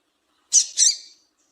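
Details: Female double-collared seedeater giving calls used to stimulate a male to sing: two quick harsh, raspy chirps, the second slightly longer and trailing off, in an otherwise quiet setting.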